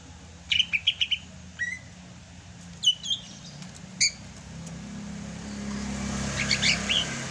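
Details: Sumatran Greater green leafbird in rainy-season song: a quick burst of bright chirps, then separate clear whistled phrases and sharp notes, with traffic noise swelling in the background toward the end.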